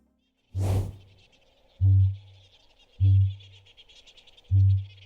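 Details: A male kakapo, a nocturnal flightless New Zealand parrot, booms in breeding season: deep resonant low booms from an inflated throat sac, repeated about every 1.5 seconds after a breathy burst, meant to attract females and audible miles away; faint music.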